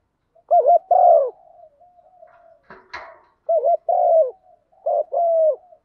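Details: Decoy spotted dove calling to draw the flock, a 'gọi một hậu' style call, used to lure wild doves. Two mellow, throaty cooing phrases separated by a brief rustling, scraping noise, with soft low murmurs between them.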